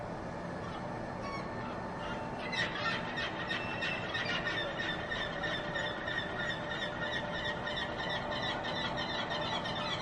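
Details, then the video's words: Several glaucous gulls in urban Saint John give harsh, repeated cries in rapid overlapping bursts, over a steady hum of city traffic. "Glaucous Gull Cries Noisy Urban"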